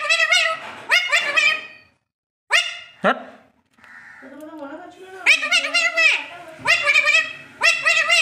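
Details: The talking Alexandrine parakeet, taught to speak, chatters in bursts of high, wavering, nasal syllables. A brief silence breaks the chatter, followed by a lower droning phrase and more rapid chatter.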